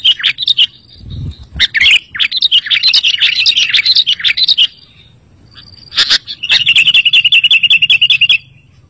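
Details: Sooty-headed bulbul song meant to set other bulbuls singing: lively bursts of chattering, bubbly notes, then a fast, even run of repeated sharp chirps near the end.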